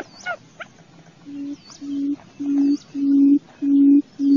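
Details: Quail lure call: a few brief higher chirps, then low steady hoots begin and grow louder, repeated about every 0.6 seconds over a soft background hiss.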